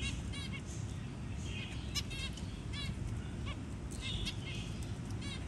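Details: Zebra finch parent feeding a newly hatched tiny chick; sparse short chirps with stacked harmonics and a few brief buzzy notes, scattered over a steady low hum.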